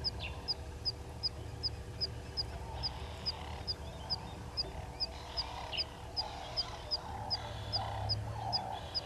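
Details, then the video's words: Three-banded plovers at Gowrie dam waterhole, Djuma Game Reserve, Sabi Sand Wildtuin, South Africa, at 08:35 on 05/06/20: sharp, high, short pips repeated steadily about twice a second, over lower, louder clucking from other birds and a constant background hum. "Three-banded Plovers"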